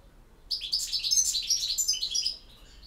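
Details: Short burst of European goldfinch campero song, a continuous run of fast, bright, jingling twitters and buzzy trills lasting about two seconds.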